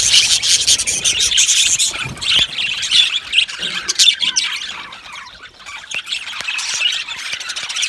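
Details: Budgie colony kept in an aviary, a flock giving high chirps and squawky twitters, dense at first, thinning to scattered clicks and short squeaks midway, then building again into overlapping chatter.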